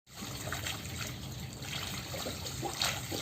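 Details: Water trickles and splashes continuously with no animal calls heard.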